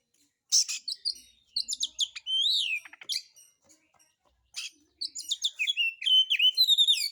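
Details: White-rumped shama song used as a lure to provoke other birds to sing, in a rough, harsh style: a busy run of sharp chirps, buzzy notes and slurred rising-falling whistles, with short pauses between bursts.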